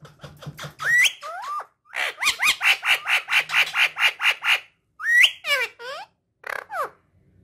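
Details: Pet talking parrot making upward-swooping whistles and a steady run of about a dozen rhythmic squeaky notes, followed by descending slurred squeals.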